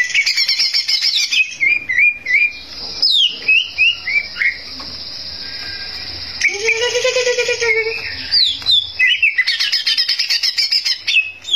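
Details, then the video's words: Energetic Greater green leafbird song, meant to rile rival birds: bursts of fast chatter alternate with clear slurred whistles, a long sustained high tone, and a harsh lower rattling passage near the middle. "cak ijo gacor bikin, lawan ngamuk"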